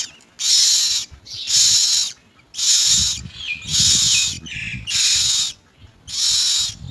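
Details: Common mynas seeking insects for their young utter loud, rasping, hiss-like screeches repeated roughly every second, with a short lower buzzy note between them.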